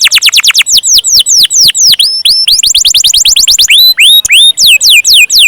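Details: Canary in rolling gacor song, a rapid series of loud downward-slurred whistles that speeds into a tight trill, then slows into wider, ringing descending notes.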